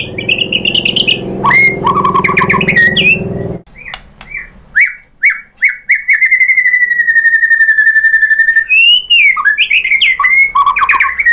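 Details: Singing white-rumped shama, used as a lure to excite others into song: loud varied whistles over a low background hum, then after a short break a fast trilled note repeated on a steady pitch, ending in looping whistles.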